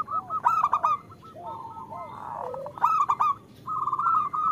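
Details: Zebra dove hen of local stock calling the male, used as a lure to get males singing; rippling trilled coos in bursts, with loud harsh bursts and lower curved notes between them.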